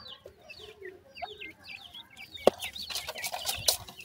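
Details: Young grey francolin chicks in captivity in Multan, offered for sale, give thin, high, falling chirps with a few lower notes. Several sharp clicks and knocks sound in the second half.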